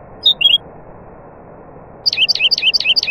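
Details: Nightingale singing among other birds: a brief high double note, a pause over a low steady hum, then a rapid series of high, sharply down-slurred notes repeated about five times a second.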